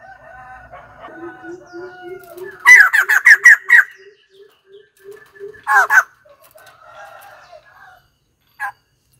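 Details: White-crested laughingthrush: a soft series of low, evenly spaced hoots, then a loud burst of harsh, rapid cackling notes, a second shorter cackling outburst and one final note.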